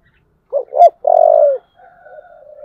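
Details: A spotted dove with the 'giọng thổ' voice calls to provoke fighting: two short looping coos and a long buzzy low note, then a faint wavering drawn-out coo.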